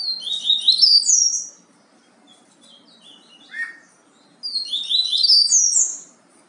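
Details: Yellow-bellied seedeater singing the Bahia song type: two long bursts of fast, tumbling high chirps and trills, separated by a quieter pause with a few soft notes and a lower slurred note.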